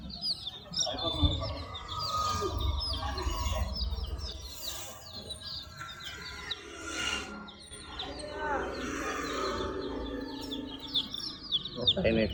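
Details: Multicoloured chicken chicks chirping as a group: dense, continuous high thin peeps, many overlapping, running several per second throughout, over steady low rumbling background noise with a few louder broadband bursts.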